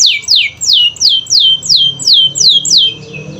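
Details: Canary song played to prompt silent canaries to sing: a steady series of loud descending whistled sweeps, each dropping steeply, repeated about three times a second.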